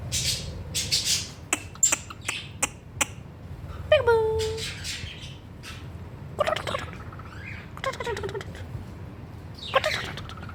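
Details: Pet cockatiel giving short sharp chirps and a few squawky, falling harsh calls in bursts, with pauses between, over a low steady background hum.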